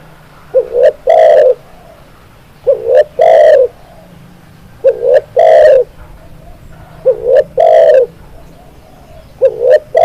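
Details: Spotted dove singing in a bird-training recording, delivering repeated three-part phrases: a brief upslurred coo, a clipped note, then a drawn-out resonant coo, about four full phrases plus the start of another, with a faint hum beneath.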